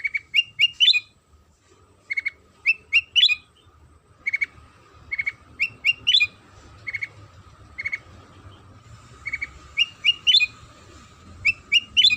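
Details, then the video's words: Sooty-headed bulbul pancingan song used to get other bulbuls singing: lively bubbly phrases of quick chirps followed by upslurred whistles, repeated every second or so over twelve seconds, with a thin constant tone and low rumble behind. "Suara Pancingan Kutilang Sutra"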